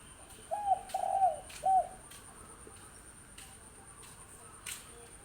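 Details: Young wild spotted dove, six months old. It gives one short phrase of three soft, hollow coos early on, then only faint background hiss and a steady high-pitched whine.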